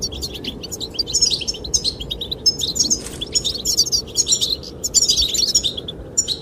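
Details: Busy chorus of goldfinches singing to attract the female: rapid, jangling twitters and trilled phrases almost continuously, with a low, even wind sound in the background.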